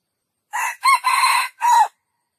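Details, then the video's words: Loud, clean crow of a junglefowl, broken into four segments: short start, upward-bending second note, extended raspy centre, then a level note sliding down at the end. The background is silent. "jungle fowl best crowing"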